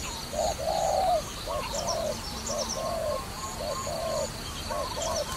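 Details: Dove used in trapping, cooing in a run of short-long note pairs, the first phrase loudest, then softer repeats, with faint distant bird chirps in the background.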